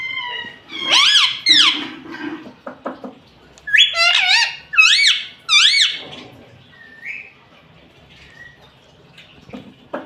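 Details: Talking pet rose-ringed parakeet, saying Mummy, Papa and Mitthu, gives several separate curved, squeaky harmonic syllables, a burst of four near-identical rising-falling notes in the middle, then quieter scratchy sounds.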